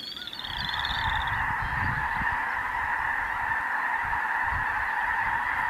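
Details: Snow geese, Snows and Blues among Ross's geese and other waterfowl, feeding and loafing on the prairies of the Dakotas during spring migration; a dense, unbroken roar of many overlapping honking voices, with a few higher wavering calls early on.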